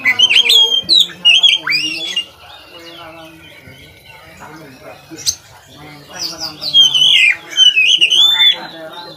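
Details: Oriental magpie-robin (kacer) song used to train other kacer birds: loud clusters of slurred whistles and rising notes at the start and end, a quieter gap between with a low voice-like murmur.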